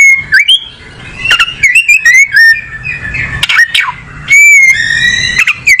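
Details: Kacer (oriental magpie-robin) giving steady whistled notes, rising and falling slurs and sharp clicks, with a long clear whistle held near the end.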